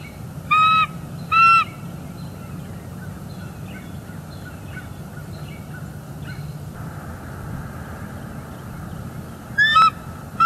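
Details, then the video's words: Mated pair of bald eagles at a nest in northeast Florida on a December 2021 morning, calling during a mating break before returning to incubate; four short, high, harmonic squealing bursts over steady low background hum. "Bald eagles; morning mating and vocals"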